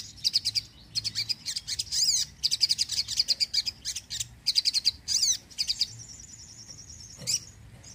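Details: Sogon in lively song for luring birds and encouraging reluctant singers; fast runs of high, sharp notes in short bursts, ending with a thin sustained whistle.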